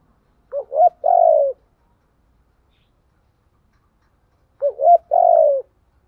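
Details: Spotted dove song used to train birds: two identical soft coo phrases about four seconds apart, each two short rising notes then a long falling coo, with silence between.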